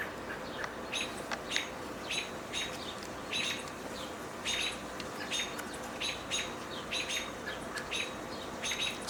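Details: American robins give sharp, repeated chipping calls, possibly agitated by a juvenile hawk with a full crop nearby, or by other hawks.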